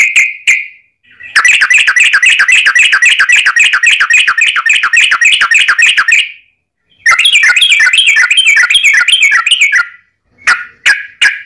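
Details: Yellow-vented bulbul delivering its long trilling fighting song, used as a lure for other bulbuls: two extended runs of fast, buzzy chattering notes, each lasting several seconds, framed by brief separate notes.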